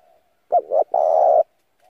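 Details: A spotted dove calls as a decoy to excite wild doves: two short rising coos and a sustained, buzzy, low coo, with faint soft cooing just before and after.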